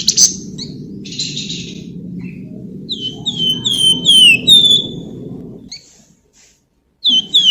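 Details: Lure song of a flamboyan, meant to set other birds singing: harsh chattering bursts give way to a run of pure, downslurred whistles, repeated rapidly, with a low continuous hum beneath and a brief pause.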